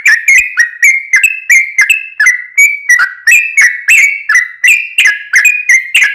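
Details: Lure song of a yellow-vented bulbul meant to provoke other bulbuls into answering: a steady string of short, clear whistled notes, slightly shifting in pitch, repeated about every three quarters of a second.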